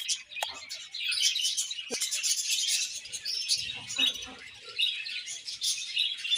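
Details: Dense overlapping chatter of budgies, a hissing, twittering wash of high notes with a few sharp clicks near the start and some faint lower sounds midway.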